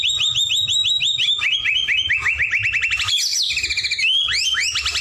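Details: Rapid repeated rising notes from a singing white-rumped shama, a chattering string of upswept chips stepping down in pitch, then a burst of high twittering and renewed upswept notes.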